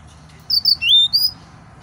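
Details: Excited male yellow-fronted canary giving a few high whistled notes, one long and drawn out, the others short and slurred, over a low background hum.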